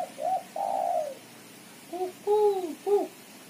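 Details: Female spotted dove giving a chattering call used as a lure. Short, low, hoarse notes: two drawn-out slurred notes, then a pause and three quicker arched notes, with faint room hiss behind.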